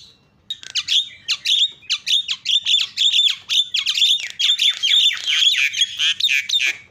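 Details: Starling song played to stir reluctant starlings: a dense, nonstop jumble of sharp whistled notes, harsh rasps and chattering bursts, loud and irregular for several seconds.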